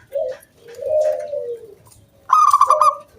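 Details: A singing local zebra dove, whose song draws other doves into calling: a short low coo, a long wavering coo, then a sudden fast pulsing burst ending in a soft coo.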